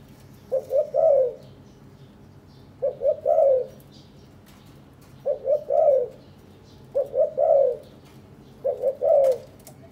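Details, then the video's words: Caged breeding spotted doves, courting and gathering nest material; five low cooing phrases, each two quick notes then a longer sliding coo, spaced about two seconds apart in a quiet room. "Cu gáy sinh sản"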